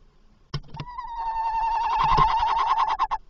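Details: Tawny owl calling as it enters a nest box at 21:45 on 27 August 2024: knocks and thumps at first, then one drawn-out, slightly wavering hoarse tone lasting over two seconds that breaks into quick pulses at the end.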